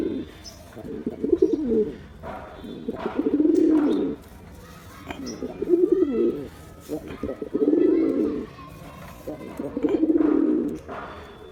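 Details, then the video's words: Male pigeon performing: low throaty coos in rolling bursts, about five swelling phrases each roughly a second long with brief breaks, over steady background rustle and faint outdoor noise. "Pigeon Sound Effect (Ultra High Quality) || Male Pigeon Super Performance"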